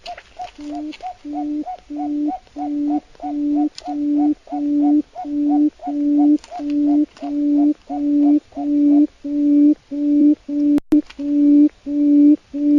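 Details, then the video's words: Long, even run of deep hooting notes from a wild quail, evenly spaced at about one and a half per second, with faint clicks and a brief knock near the end. "tiếng chim cút rừng"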